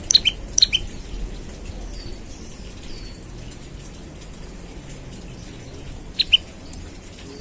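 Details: Olive-backed tailorbird calling in the morning as a lure to make other birds sing. A few sharp high paired chirps open the sequence, then a long quiet gap with faint soft background noise, and a few more chirps near the end.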